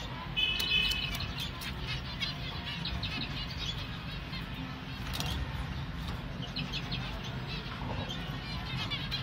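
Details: Hand-fed finch chick calling with quick, high chirps, bunched into a lively burst near the start and scattered afterwards, heard above a constant low droning background.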